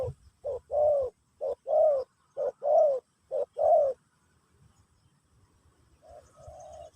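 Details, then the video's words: Pesom/Kacuk-style song of a spotted dove, played in a teaching session for a new bird: four quick paired coos, a short note then a fuller rolling one, about one pair per second, followed by silence and a softer pair at the end. "Burung Terkukur Pesom/Kacuk"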